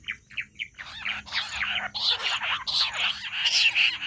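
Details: Jungle bush quail, a call used for hunting: three short separate notes open, then loud, dense, grating high chatter rises and continues in rapid pulses to the end.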